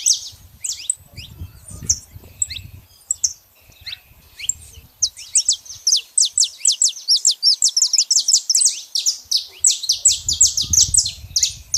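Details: Saffron finch calling in nature: bright, high chirped notes in a quick series that builds into a rapid, steady stream of sharp downslurs, with low rumbling noise at the start and end.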